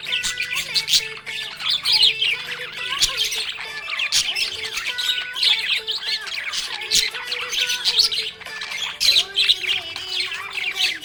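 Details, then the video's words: Contented budgerigar keeps up a lively, chattering warble of high chirps and rasping squawks throughout, with quiet sustained background tones. "Happy budgie chirping sound"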